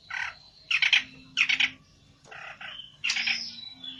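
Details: Olive-backed tailorbird, described as agitated and seeking a rival, giving harsh, buzzy chattering bursts in short clusters, some doubled, with brief pauses between them and a faint low hum beneath.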